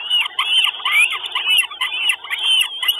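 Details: Northern goshawk chicks at a nest in Estonia, filmed by a live nest camera on 2 June 2022; shrill, arched squealing calls repeated in quick overlapping bursts, several voices crowding together with brief gaps.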